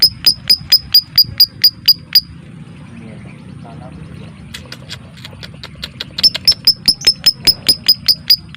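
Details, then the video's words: Lovebird 'ngetik' typing song used as a mating and singing lure: a fast run of high, crisp ticks, a pause filled with faint low murmur, then the rapid even ticking resumes. "MASTERAN LOVEBIRD suara Ngetik ll Ngekek Rapat ll Rapi"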